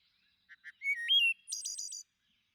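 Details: Thrush singing: two short soft notes lead into a pure whistle that jumps up a step and slides back down, then a rapid high rattling trill of repeated notes. Still surroundings.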